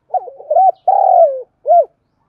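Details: Lure spotted dove calling to provoke wild birds. A phrase of low hollow coos: stuttering opening notes, one long trembling coo that drops in pitch, and a crisp short arched note to finish.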